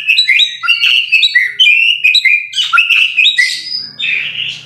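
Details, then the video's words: Murai batu (white-rumped shama) singing continuously: bright, rapidly repeated whistled notes jumping up and down in pitch, with dense high twittering, a low hum faintly underneath near the end. "MASTERAN MURAI BATU SUPER GACOR"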